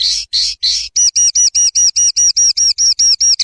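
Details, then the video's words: Common linnet song: three harsh buzzy notes, then a run of about twelve clipped, ringing high notes repeated evenly, about four per second, with a faint low hum. "Canto Pardillo / Carduelis Cannabina"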